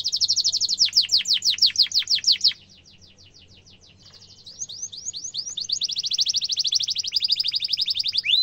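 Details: Canary singing sharp rolling trills as a model for young canaries: rapid falling notes, a quiet gap, then soft stuttered notes building into a long, dense high trill.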